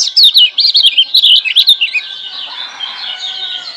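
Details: Lemon-bellied white-eye (kecial kuning) from Lombok, a freshly wild-caught bird, singing a master song used to prompt quiet birds into song: a rapid high twittering warble of quick rising and falling notes for two seconds, then fading into faint thin chatter.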